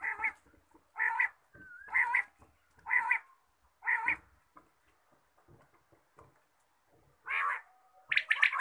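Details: Morning quail call: a series of harsh, grating notes repeated about once a second, with a pause and then a few louder, higher notes at the end.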